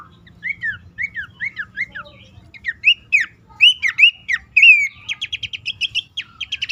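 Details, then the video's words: Bush warbler lure call for reluctant caged birds. A row of evenly spaced downslurred whistles, about two per second, builds into louder hooked notes and then a rapid, rattling series of short high chips. "pelanduk semak ngecall pancingan ampuh burung bahan,macet,stress,susah bunyi agar cepat ngeplong."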